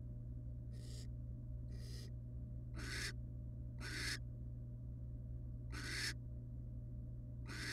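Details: Resting family of wild barn owls in a nest box: six noisy, breathy screeches of about half a second each at irregular one-second gaps, set against a steady low droning hum.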